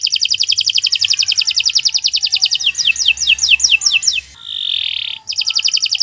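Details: Canary giving a long training song: a fast rolling trill that slows into separate falling whistled notes, a soft hissing tone, then the rapid trill resumes.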